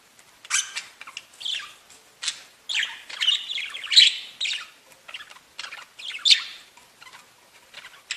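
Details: Budgerigars singing and chirping: steady, chattering warble mixing squeaky whistles, buzzy notes and clicks in an irregular, continuous stream.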